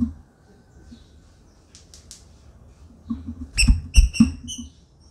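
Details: A female green-winged saltator, captive and registered, calls while in a flight cage, giving short, sharp, high chipping notes in a quick burst of about five over low room rumble; she is described as calling and soliciting mating.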